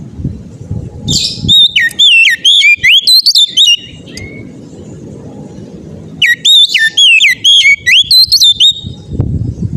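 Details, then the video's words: Loud, insistent oriental magpie-robin song used to prompt other magpie-robins to sing: two long runs of rapid whistled, swooping notes about two seconds each, between stretches of low background rumble. "kacer ngeplong gacor ngotot ampuh bikin kacer lain ikut bunyi gacor ngeplong"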